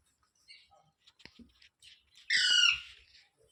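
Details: Parrot, locally called tota or mitthu, with one loud harsh banded squawk lasting about half a second near the end, preceded by soft scattered squeaks and clicks in a quiet room.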